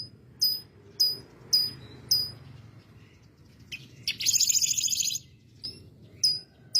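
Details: Canary singing a lovebird-style fill: bright, very high chirps repeated about once every half second, then a fast buzzy metallic trill lasting about a second, followed by more sharp chirps.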